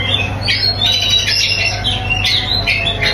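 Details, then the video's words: White-rumped shama song made of harsh, buzzy, high chattering notes in quick bursts, mixed with a few thin whistles, over a constant low hum. "Menikmati Kicauan Murai Batu"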